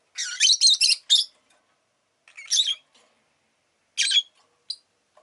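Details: Pet rosy-faced lovebird chirping in a rapid string of harsh, scratchy notes, then quieter scattered bursts and a lone squeak.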